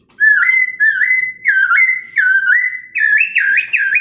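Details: Singing Chinese hwamei in the morning, used as a lure to make other birds respond: continuous loud whistling with level tones broken by quick dips, ending in rapid warbled up-and-down notes.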